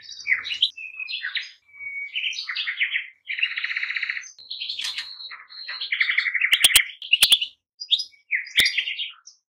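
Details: Goldfinches singing a lively run of tinkling, twittering notes, with a long buzzy trill near the middle and sharp clicks toward the end.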